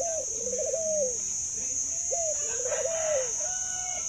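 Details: Pet zebra dove famed for a laughing, extended coo repeats its phrase twice: a brisk rising note, rapid rolling stutter and smooth downward tail, with a constant shrill hum and faint softer coos behind.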